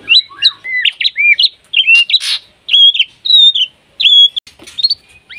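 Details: White-rumped shama in breeding condition, calling a rival: crisp whistled notes with sharp upturns and downturns, given in clear separate phrases with brief silences between them.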